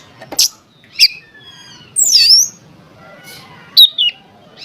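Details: Oriental magpie-robin singing, used as a lure to get other magpie-robins to sing: short sharp chips, a loud buzzy rising-falling phrase, then quick twisting whistles with pauses between them.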